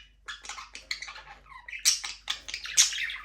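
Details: Several pet budgerigars in a small aviary keep up busy, scratchy chattering with short whistled notes and rasping squawks, uneven in rhythm and building toward louder bursts at the end.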